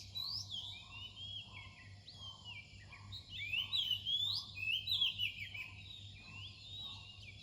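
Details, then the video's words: Dawn song of an Oriental magpie-robin: a rich run of whistled, slurred and warbling notes, loudest in the middle, rising and dropping in pitch, with a steady low background hum. "เสียงนกกางเขนบ้าน ตอนใกล้รุ่ง"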